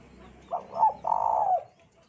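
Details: Lure recording of a spotted dove meant to get other doves singing: one phrase of a brief coo, a stronger second note, then a long, throaty rolling coo fading out.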